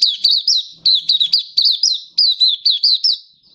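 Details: Oriental white-eye, a kept songbird displaying on 24 February 2023: continuous high chirps in quick groups of three or four, each note sharply dipping then rising, with clean, crisp delivery.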